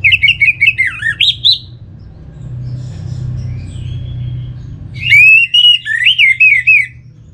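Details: Orange-headed thrush song, played as a lure to get other birds singing: a fast run of varied whistled notes, warbling and rising, then a quieter gap with low hum, then another bright whistled phrase of rapid rolling notes.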